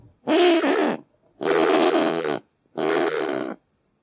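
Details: Kakapo (Strigops habroptilus) uttering three long, harsh, raspy squawks, each about one second, separated by brief silences, loud and rough-textured with little background sound.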